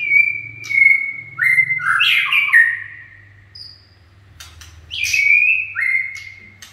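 White-rumped shama singing clear, long whistled notes that step down in pitch, broken by rich, rapid warbling bursts; a faint low hum underneath.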